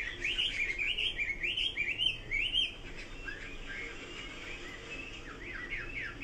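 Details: Chinese hwamei singing a run of loud looping whistled phrases, each note sliding up and down, repeated quickly for over two seconds, followed by quieter chattering warbles and slurred notes.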